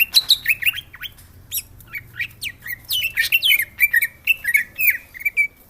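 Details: Varied, energetic song of a greater green leafbird, known locally as cucak hijau: rapid chattering and squeaky notes mixed with slurred whistles, delivered in quick bursts without a break.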